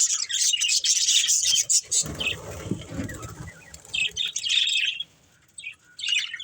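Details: Pet budgerigars chirping while playing and eating: dense, scratchy high chatter in bursts, a brief lower rustle in the middle, then more short chirps.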